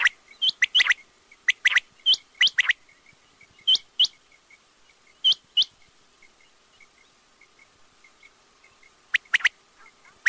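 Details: Quail giving bright, clipped double and triple chirps that rise sharply at the end, bursts separated by pauses of a second or more, with softer ticking notes in between.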